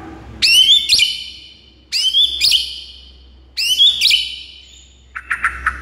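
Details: A white-rumped shama sings to make a silent bird sing. It gives three loud, rich whistled phrases, each with an upward sweep, about every two seconds. A short burst of softer chattering notes follows, over a faint low hum.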